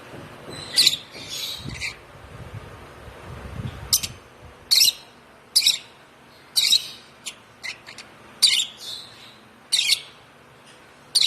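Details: One-month-old African lovebird chick, hand-fed since two weeks of age, giving loud, harsh, broadband chirps in short bursts roughly once a second, with faint low indoor background noise between calls.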